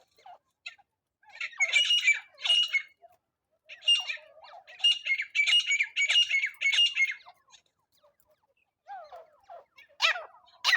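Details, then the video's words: Trapping lure of a calling francolin: harsh, rasping bursts delivered in uneven clusters of two to four, separated by short pauses, then a few softer squealing notes and a final loud burst. "teetar hunting sound | Francolin trap"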